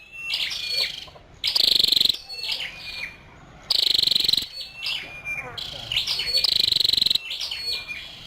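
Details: A female scarlet-backed flowerpecker alternates harsh buzzy trills with quick high chips and twittering notes, in bursts about every two seconds.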